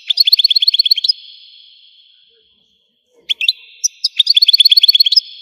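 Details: Algerian European goldfinch song: rapid repeated liquid twitters ending in a held whistle, a short silence, then scattered chirps building into another quick twittering series.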